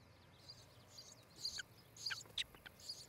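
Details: Osprey (Pandion haliaetus) from a nesting pair at Charlo, Montana, on a summer morning, 14 July 2018, between about 8 and 9 am: faint, high whistled chirps in short scattered bursts of four or five notes over two seconds, above steady outdoor hiss.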